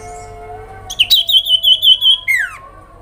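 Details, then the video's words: Sooty-headed bulbul calling to elicit responses from other birds: a wavering series of high whistled notes, about six pulses, then a falling slurred whistle, over a faint steady hum. "sirpu grincingan dalam sekejap bikin burung sirtu sepasar langsung respon Emosi"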